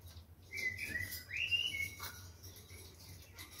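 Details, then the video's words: Captive rose-ringed parakeet pair, male and female, kept about a year: a short run of whistled, wavering chirps rising and falling over about a second and a half, over low steady hum. "Parrocchetti dal Collare | Cinguettio"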